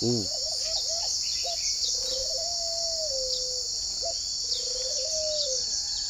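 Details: Spotted dove kept at a farm near Hanoi in Vietnam, heard in the morning: a short burst of quick notes then long, level, slightly falling coos, set against a loud continuous high-pitched insect buzz.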